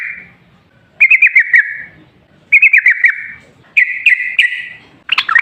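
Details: Wild sooty-headed bulbul in lively rapid song, used to coax other bulbuls into singing: a held whistled note, then three stuttering trilled bursts about a second apart and a final burbling phrase.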